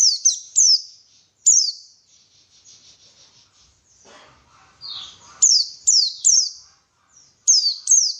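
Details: White-eye song meant to stimulate singing: clusters of sharp high downward-sliding chirps at the start and end, with a softer trilling, twittering passage between them.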